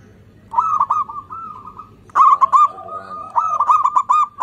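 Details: Zebra dove from Indonesia singing eagerly as a song lure for quiet birds; bubbling, rapidly pulsed coo phrases, a pause, then a louder rolling series of clipped notes.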